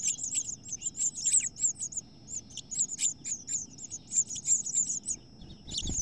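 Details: House finch nest where two females fight and the new one evicts the chicks; a long stream of piercing high chirps, several per second, with a brief pause near the end and a soft knock.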